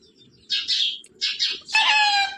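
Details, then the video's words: Pet parrot talking like a human: two short hoarse high bursts, then a longer harmonic, voice-like phrase with a steady buzzy tone, as if pronouncing a devotional word. Quiet room background. "इंसान की तरह बोलने वाला अद्भूत तोता🥰parrot talking radhe radhe"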